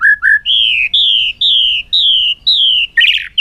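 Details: A bird recorded in 2021 gives loud, sweet whistled notes, each gently falling, repeated about twice a second in a steady series, ending with a harsher burst.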